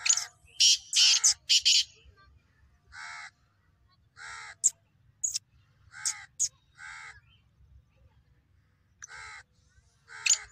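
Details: Black francolin call: a fast trio of harsh, hoarse notes, followed by evenly spaced nasal rasping calls about once a second, with sharp grating accents between them.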